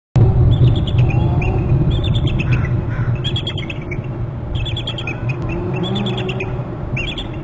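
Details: Bald eagles at a nest and territory camera on Hornby Island, one arriving from inland and calling as it lands near the nest while both call. Bursts of high, thin, rapid chittering piping repeat, over a steady low rumble.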